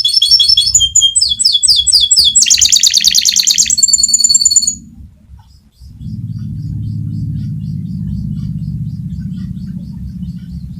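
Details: Fighter canary delivering its rolling song, meant as master material for tutoring other canaries: quick repeated chirp phrases, a dense buzzy roll and a clear trill for nearly five seconds, then a steady low mechanical rumble takes over.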